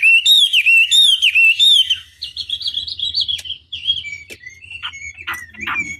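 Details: Chinese hwamei singing a tutor song used to stir rivals into answering: loud looping whistles repeated about four per second, then softer spaced whistled notes and brief clicks.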